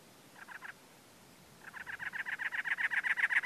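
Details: Male cactus wren calling on territory from dead bush and teddy-bear cholla, April, Anza Borrego State Park, San Diego County, California: a short burst of harsh chugging notes, a pause, then a longer rapid run of raspy notes growing louder.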